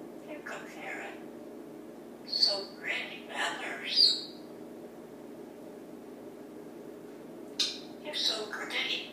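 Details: Male African grey parrot, hatched 1997, perched in a kitchen of a Texas home one morning, talking in short human-like bursts ("Yeah! Banana!") with two sharp whistled squeaks, over a steady low indoor hum; recorded on an iPad.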